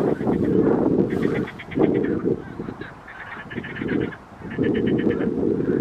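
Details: A family of Greater Canada geese (Branta canadensis canadensis) near Visé, Belgium, south of Maastricht, 16 May 2023, give short, nasal calls in quick runs of several notes over a heavy low rumble of wind.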